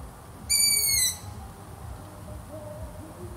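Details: A single thin, squealing note from a long-eared owl, about two thirds of a second long and easing slightly downward, followed by quiet hiss.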